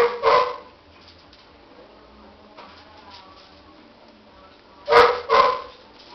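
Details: Cockatiel chicks: a short raspy, hissing burst near the start, then quiet, then two more harsh broadband rasps in quick succession near the end.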